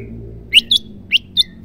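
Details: Female white-rumped shama giving a call that prompts males to sing: four short, sharp high chirps spaced unevenly over about a second, over a faint low background hum.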